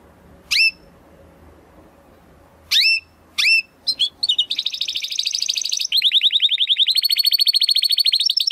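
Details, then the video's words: Belgian canary gives a few isolated sharp high chirps, then launches into quickening notes that build into a dense rapid trill and a long, evenly pulsed high rattle. "CANÁRIO BELGA CANTANDO ESTRALANDO !"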